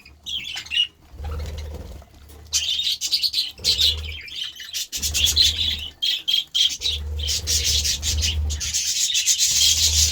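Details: Budgerigars excitedly feeding on vegetables: dense, high scratchy chirps and warbling chatter come in bursts, broken by short quiet gaps, with low rumbling thumps beneath.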